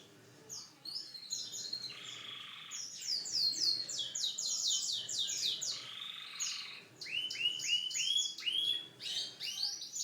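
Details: Canary singing a varied song: rapid trills of repeated high notes, downslurred whistles and buzzy rolling phrases shifting between low and very high pitches, with brief pauses between runs.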